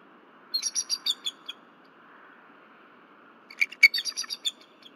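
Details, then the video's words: Female bald eagle at the Berry College nest, woken at 10:10 pm on 15 February 2023, calls after something disturbs her at night: two bursts of high, thin, rapid chittering notes separated by a quiet pause. "Night Disturbances-Missy Vocalizes Until Pa Berry Arrives"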